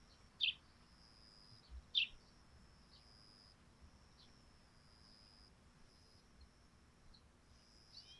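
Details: Morning sparrow calls from a dewy thatched roof: two sharp high chirps about one and a half seconds apart, then fainter distant chirps over a soft constant high tone.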